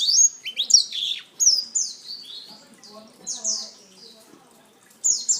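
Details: A black-throated canary sings short, high, descending whistled phrases with sharp chirps, repeated in clusters with gaps between them.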